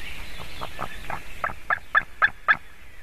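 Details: White-tailed eagle chick on its nest in Latvia, 17 June 2019 around 9:05 AM, calling in an almost adult voice as a buzzard flies toward the nest and lands behind it. About eight sharp yelping notes grow steadily louder, over faint birdsong.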